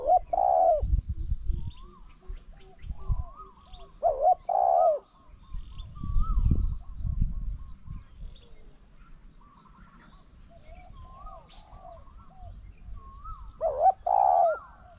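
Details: Spotted dove cooing while a decoy faces off against a wild bird: three phrases, each a brief double hoot and a longer rolling coo, separated by quieter stretches of distant whistles and low rumbling noise.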